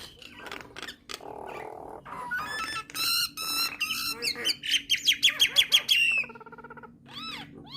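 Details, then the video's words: Nias hill myna, whose song is claimed to get starlings singing; rough broadband notes lead into a rapid string of short high whistles, then a fading buzzy trill and a few arched whistles. "Kicauan Burung Jalak Akan Bunyi Jika Dengar Kicauan Jalak Nias Suara Unik"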